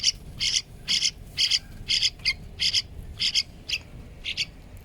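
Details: Hand-reared yellow-vented bulbul singing actively: short, bright chirps repeated about twice a second, each a quick doubled note, over a low background hum.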